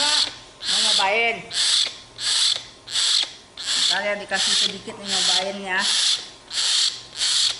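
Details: A young common hill myna, a tame pet, cranky and wanting to eat bread, gives harsh, noisy bursts repeated about every second, mixed with a few wavering tonal cries.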